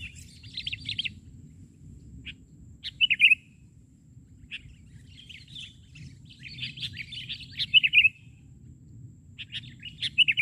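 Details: Sooty-headed bulbul singing from the ground instead of a branch during a bird-luring outing; short bursts of chatter separated by pauses, each ending in a bright, clear whistled note, over low steady rumble.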